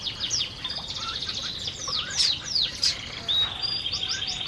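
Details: Canaries feeding in an aviary: a steady high trilled tone underlies bright chirps and falling whistled sweeps, ending in a quick series of rising notes.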